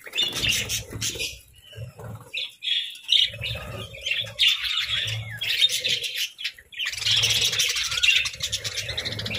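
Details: Happy pet budgerigars chirping in uneven bouts: clusters of high squeaky notes and warbles separated by brief quieter gaps.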